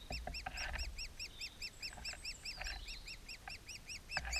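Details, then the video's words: Woodpecker at the nest: a fast, steady series of short arched calls with ringing overtones, repeated more than twice per second, over a low rumbling background. "Okillaren kabian"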